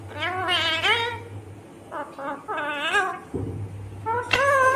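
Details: Indian ringneck parakeet, a green parrot, talking indoors: harmonic, speech-like phrases in short bursts with rising and falling contours, ending in a loud squawky syllable.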